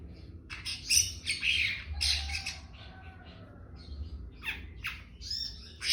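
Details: Long-tailed shrike delivering trotol: dense, scratchy chattering bursts mixed with short squawks, a brief faint whistled line in the middle, then more scattered raspy notes over a low background rumble.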